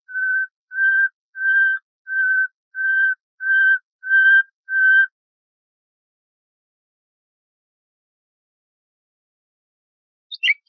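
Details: Tutor-tape song of the common nightingale, Luscinia megarhynchos, for bulbuls to learn: seven even whistled notes at a regular pace, then long silence and a brief sharp flourish at the end.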